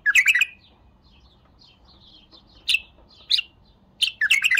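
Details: A bulbul sings a fast bubbly phrase, pauses while faint high twitters sound, gives two sharp single notes, then starts another lively chirping phrase.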